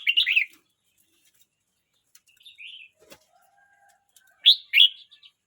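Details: A 12-month-29-day-old red-whiskered bulbul opens with a lively slurred phrase, adds a soft mid-pitched note and a faint thin whistle, then finishes with two loud, emphatic, rising-falling notes.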